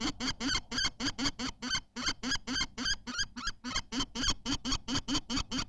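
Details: Common kestrel calling during the laying of a white egg at a nest in Théding, 14 May 2023: harsh, nasal, broadband notes repeated rapidly, about three per second, with one short pause midway.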